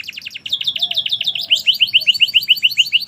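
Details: Chatty canary in merlok song, delivering a steady, rhythmic trill of high chirping notes repeated quickly and evenly, growing louder halfway through; a faint low whistle sounds briefly behind.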